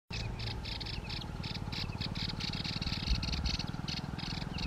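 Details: Yellow-eyed babbler singing in India: quick bursts of short, bright chattering notes, several per second, with brief pauses between bursts, over a steady low rumbling background.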